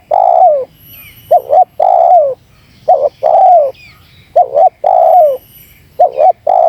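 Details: Spotted dove calling insistently to provoke wild doves, with about five rhythmic cycles of a short double note and a long falling coo, and brief thin chirps from other birds between phrases.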